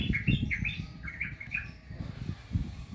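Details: Sooty-headed bulbul song: a few short bubbly whistled notes in quick succession, rising and falling, over heavy low rumbling and thumping background noise.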